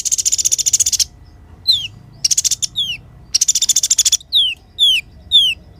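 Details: Kolibri ninja (Van Hasselt's sunbird) in clear, natural song: very high buzzy trills alternate with distinct, sharply falling whistled notes, spaced about half a second apart.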